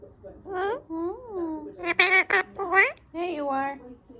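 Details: A male Indian ringneck parakeet says "I'm being a very good boy" in a thin, nasal, high-pitched voice, five or six syllables over about four seconds, in a quiet room.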